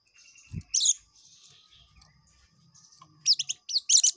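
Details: Ngekek song of an oriental white-eye: a brief low thump, a piercing high twitter, quiet hum, then two bursts of fast, shrill, closely packed chirping notes.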